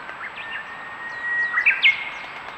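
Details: White's thrush recorded by a trail camera at Aobayama, Sendai, Miyagi Prefecture, Japan, on 24 April 2019: a long, thin, steady whistle held at one pitch for over a second, with brief sharper chirps from other birds over faint background noise.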